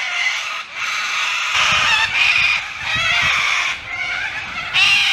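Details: Thousands of Little Corellas near a big bridge by a small fishing town fill the air with a continuous din of harsh, overlapping screeching calls without pause, over a low rumble of traffic.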